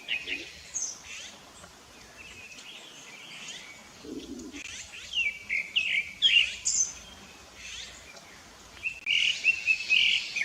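Rufous-bellied thrush singing short, varied whistled and warbled phrases in uneven bursts, with thin high chirps mixed in and a faint low background hum.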